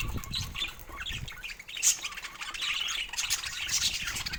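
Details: Budgerigars at morning play with toys, heard as softer bursts of high twittering and squeaky chirps, one sharp louder note near the middle, with faint rustling and low bumps underneath.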